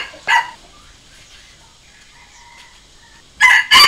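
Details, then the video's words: Red junglefowl decoy crow, used for calling wild junglefowl and training decoy birds: a brief harsh crow burst near the start, a long quiet stretch with faint background chirps, then a loud two-part crow at the end, cut short. "เสียงต่อไก่ป่า เสียงไก่สำหลับต่อ"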